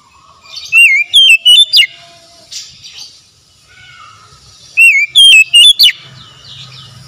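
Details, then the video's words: Oriental magpie-robin song, used as a therapy track to get stressed, silent birds singing again: two loud bursts of five or six whistled, sliding notes, each slurred down or up, separated by a few seconds of near-quiet with faint background chirps. "TERAPI TERAMPUH PEMULIH KACER SETRES BISU MACET BUNYI LANGSUNG GACOR"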